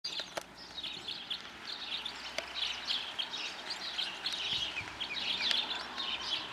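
Red crossbills give a steady chatter of sharp, high chips, several birds overlapping at about four notes a second, with a few faint clicks behind.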